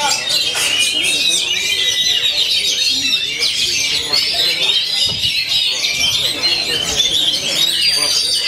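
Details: Oriental magpie-robin described as singing hard every day without going quiet: dense, continuous high whistled and chattering phrases with rapid trills, steady throughout, with faint lower background sounds.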